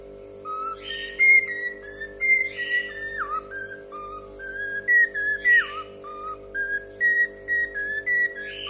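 A cockatiel whistles a clear, tuneful song of stepped notes, with a steady mechanical hum underneath.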